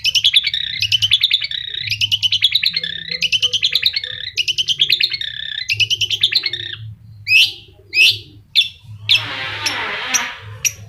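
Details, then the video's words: Long-tailed shrike singing steadily despite loud engine noise: a fast chattering run of scratchy, buzzy notes for about seven seconds, then several sharp separate calls and a harsh burst, over a low mechanical drone. "Cendet Mental Baja bising dengan Suara Mesin tetap Nembak"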